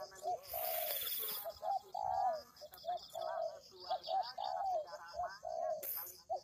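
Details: Bird-luring recording of a spotted dove: repeated soft, low coos in short and drawn-out notes, with a brief burst of hiss near the start and a faint continuous high tone behind.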